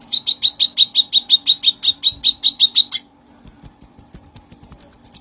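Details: Bulbul pouring out song, recorded to train other songbirds: a fast, even string of doubled chirps for three seconds, a tiny gap, then a thinner, higher series of quick falling chips.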